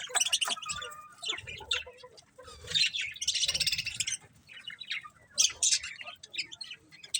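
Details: Colourful budgies chirp and chatter almost without pause, in rapid, grating, buzzy bursts with short whistled chirps between them.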